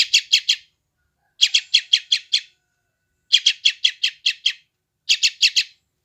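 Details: Young sooty-headed bulbul from West Java, recorded by Android phone, a sound used to calm and tame freshly caught wild birds: rapid runs of four to seven raspy high chips, separated by short pauses.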